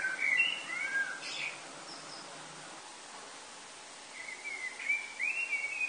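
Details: Common blackbird song before sunrise, Lille, France, early August 2018: rich whistled phrases with a squeaky ending, a pause of about two seconds, then another warbling strophe, over low steady hum.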